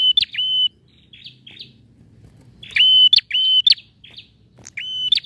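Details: Male bar-winged prinia singing actively, used as playback to prompt a silent prinia to sing: a level whistled tone ending in a sharp upward flick, followed by soft buzzy notes, repeated in three bursts with a faint low hum beneath.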